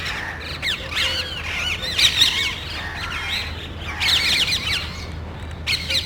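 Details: Small flock of parrots looking for a nest in a neighborhood, loudly squabbling; overlapping harsh, frequency-sweeping screeches come in two dense bursts separated by quieter scattered calls.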